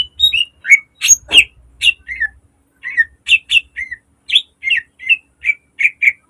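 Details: Green leafbird in a cage, its song serving as a model and lure for training birds: sharp, dense chirped phrases and short whistles in quick succession, a low rumble briefly beneath the opening.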